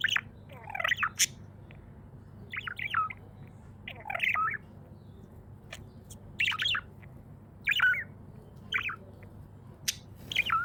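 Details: Happy pet budgie chirps rhythmically, short warbled bursts of curling notes roughly every second, with a few crisp clicks and a quiet steady hum underneath.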